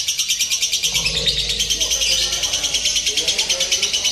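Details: Lovebird chattering nonstop in a mock contest meant to toughen the bird for competition: piercing, grating trill-like pulses about three per second, with low murmuring voices and a hum underneath.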